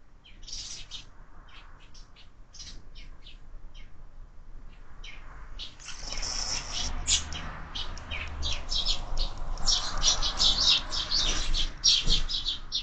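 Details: Sparrows crowding a window feeder with growing numbers of fledglings: scattered chirps build after a few seconds into a dense, rapid chatter of overlapping tweets, with fluttering and faint room noise.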